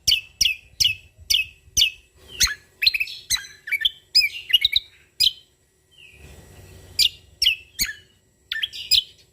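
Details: Cucak Kombo Lombok, the Sumatran leafbird, singing energetically with natural fill. Steady stream of crisp, sharp chirps roughly three per second, broken by twittering tangled phrases and a brief pause midway.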